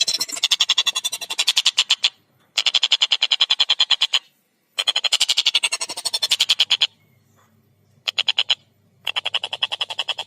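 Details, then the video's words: Collared kingfisher (tengkek buto) singing actively with a clear voice and tight tempo: four bursts of rapid, harsh, evenly spaced chattering notes, each burst one to two seconds long and separated by brief pauses. "Masteran Burung Tengkek Buto Gacor Suara Jernih Speed Rapat"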